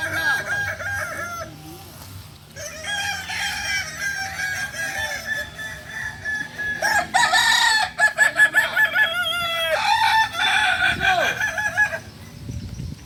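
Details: Kokok Balenggek roosters, native to Solok in West Sumatra, crowing together at a practice gathering: several long undulating crows overlap across the recording, ending in quick pulsed syllables, over a low hum and faint voices.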